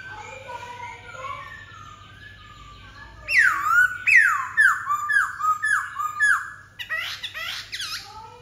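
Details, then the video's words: White-browed laughingthrush singing loud, clear whistles that slide steeply down, about five in quick succession, then a burst of harsher, chattering notes; softer bird calls come before. "Khướu bạc má"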